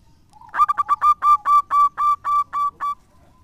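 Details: Local zebra dove in full song, kept as a lure bird: a faint opening note, then a fast string of about a dozen clear, bright notes that quicken and then steady before stopping.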